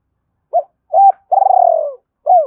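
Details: Single phrase from a spotted dove cooing to provoke a wild rival: a short note, a level held note, then a long pulsing coo that slowly falls, followed by another short coo.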